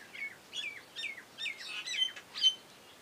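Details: Common hill myna carrying nest material outside its cage; a series of loud, bending whistled and squawky notes, about six in three seconds, the last one the strongest, over a quiet background.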